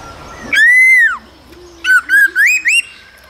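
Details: Cold-season singing by a male laughingthrush, accompanied by female calls, meant to stir young birds; one long arched whistle, then four short upward-slurred whistled notes in quick succession.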